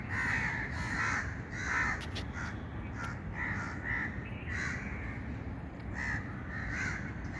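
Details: A bird repeats hoarse, cawing notes roughly every second in an irregular series, each note broad and rough, over a continuous low background rumble outside.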